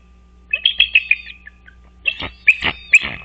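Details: Bald eagle pair at a nest beside Dale Hollow Lake on the Kentucky-Tennessee line, caught by a nest camera before dawn, 4 March 2023; sharp, high piping chips strung into quick chattering series, a short run and then a louder second run.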